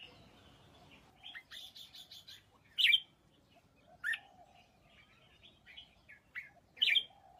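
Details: Red-whiskered bulbul giving short, emphatic whistled notes spaced about a second apart, interspersed with soft chatter and clicks, above a steady low hum.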